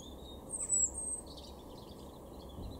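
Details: Garden European robin, Weener, East Frisia, Germany, April 2023: a very high drawn-out thin whistle, then softer jumbled high notes, all faint against a low rumbling background.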